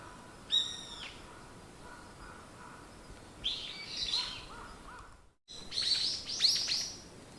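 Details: Morning bird sounds: a sharp high whistled note, then softer lower repeated notes, and later a burst of bright chirps from several calls. Sound drops out briefly near the middle.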